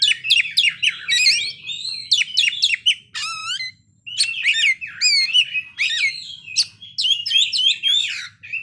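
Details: An Oriental magpie-robin sings at length, showing off its learned fill-in phrases: rapid clusters of high chirps, a slurred rising-falling whistled note, then more varied warbling runs after a brief gap.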